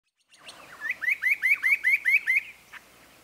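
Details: Spot-breasted parrotbill delivering a rapid run of about eight slurred, upward-sweeping notes, sharp and slightly nasal, each lasting under a fifth of a second, preceded by softer notes and ending with a single faint note.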